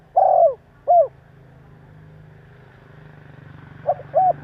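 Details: Provoking call of a spotted dove: a loud, long, downslurred coo and a short coo, then quiet with a soft low engine-like drone, before two brief notes and a coo open the next phrase.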